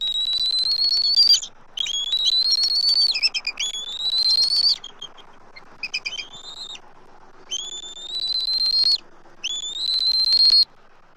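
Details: Eagle pair at a Southwest Florida nest, 12 March 2024, calling while an immature eagle circles the tree. Repeated long high whistles, gently rising, several broken by quick stuttering pulses, coming in bouts of one to two seconds.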